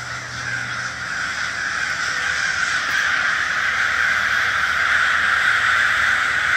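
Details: Huge flock of crows calling together: a dense, continuous wall of overlapping harsh caws with no single voice standing out, wings flapping audible within the steady roar.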